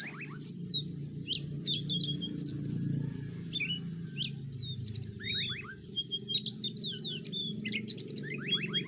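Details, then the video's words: White-rumped shama singing: clear rising and falling whistles mixed with quick chips and downslurred notes in short bursts, over a constant low rumble. "kicauan dan tarian burung kacer betapa merdu dan indahnya"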